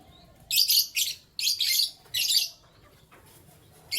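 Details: Canaries kept as pets, chirping in the morning: bursts of bright, scratchy, high-pitched chirps in four quick clusters, then a pause and a fresh burst at the end, over a soft low background hum.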